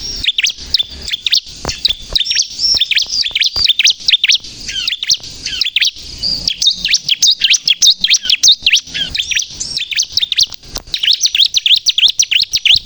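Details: Bar-winged prinia (ciblek kristal) in energetic song, meant to lure and provoke birds: a long, continuous stream of high, twittering, sharply sweeping chirps and short trills delivered rapidly and irregularly.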